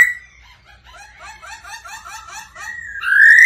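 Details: Black-throated laughingthrush male, stirred by a female's 'ro ro' call, gives a quick chattering series of short slurred notes, then bursts into a loud, long rising whistle.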